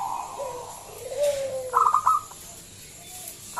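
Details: Zebra dove used as a lure for other doves: a soft falling coo, then a short burst of rapid staccato notes. A faint hiss fills the background.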